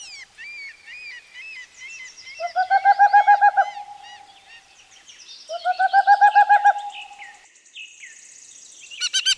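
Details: Owl giving two bouts of rapid, quavering, tonal notes that swell and fade, each lasting about a second and a half, with thin high chirps and twitters from other birds between and around them.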